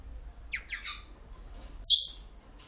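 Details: Grey parrots at a breeder of hand-fed young, including a breeding pair, give three quick descending squeaky notes, then a loud, harsh rasping screech lasting a quarter second, in an otherwise quiet room.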